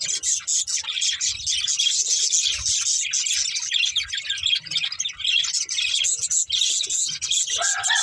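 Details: Pet budgies playing and eating, chattering nonstop in a rapid, high, buzzy warble, with a short lower whistled note right at the end.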